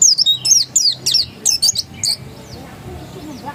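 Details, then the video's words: Insistent ngotot song of a pleci dakun white-eye: a fast series of high, sharp chirps sliding downward, clustered in twos and threes for about two seconds before trailing off into near-silence. "Suara Ngotot Pleci dakun"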